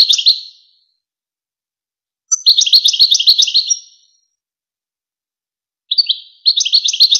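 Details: European goldfinch song from the well-known Wakr Touzgha tutor tape used to teach young goldfinches and hybrids: bright, twittering high phrases with rapid buzzy notes, a short burst, then two longer strophes separated by clean silence.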